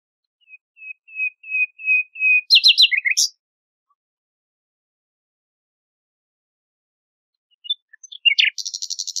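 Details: Nightingale song from a song tape: a row of even whistles grows louder, breaks into a buzzy rattle and a sharp flourish, then after a long pause a fast high trill starts.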